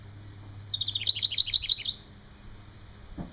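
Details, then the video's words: Male House Wren singing near its nest on 11 May 2011: a quick, bubbly burst of about a dozen high, chattering notes tumbling slightly downward over a second and a half, followed by a low thump. "House wren sings"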